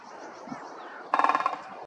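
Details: A Great Spotted Woodpecker (Dendrocopos major) in Estonia gives a short, rapid drum roll of about ten hard knocks lasting under half a second, heard over a soft background hum.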